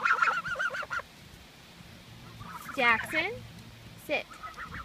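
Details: Geese calling in 2014: a short series of nasal honks opens, followed after a quiet pause by falling, wavering harmonic calls and a final brief honk over faint background noise.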